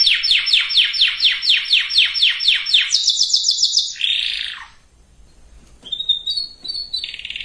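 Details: Canary song for preparing females and males to breed. Evenly spaced sweeping notes repeat about four per second, shift to a higher trill, then a buzzy slur, a pause and softer warbled phrases.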